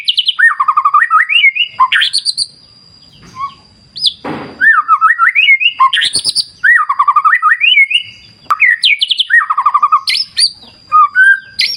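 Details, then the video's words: White-rumped shama, wild clear-river therapy recording: bursts of varied whistled and trilled phrases separated by short quiet gaps, with a brief noisy crackle midway. "Terapi Murai Batu Ala Alam Liar Sungai Jernih"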